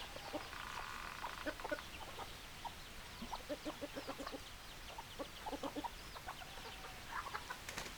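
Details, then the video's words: Chickens clucking: many short soft clucks from several hens, some in quick bursts, over a steady hiss of background noise. "Chicken Sounds Noises Hens Clucking Roosters Crowing"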